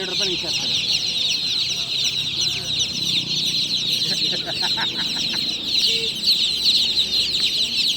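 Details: Dense chorus of freshly hatched chicks calling at night, countless shrill, rapid peeps layered over each other, with soft clicks and a quiet voice in the background.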